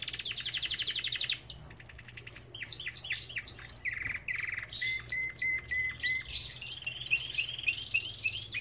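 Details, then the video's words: Belgian canary singing in an aviary: a fast buzzy trill, then a run of rising whistled notes, a steady piping tone, and rapid chirping phrases at varied pitches, over a faint low hum. "Lindos cantos de canários!"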